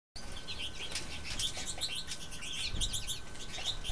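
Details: American goldfinches at a heated birdbath in a backyard in Ontario in winter, January 15, 2012 at -15°C, give a scatter of high, thin chirps and twitters from several birds over a steady low rumble.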